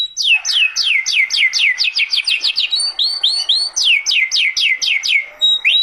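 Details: Singing canary delivering rapid rows of bright, high descending whistled sweeps, with a short run of looping upward notes in the middle, then the quick sweeping series again until the end.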